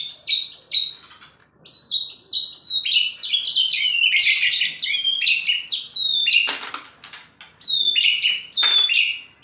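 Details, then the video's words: Male white-rumped shama in a frenzied, agitated singing bout: rapid, varied high whistles and chattering phrases pour out almost nonstop. Two sharp knocks break in near the end. "Murai kesurupan burcil"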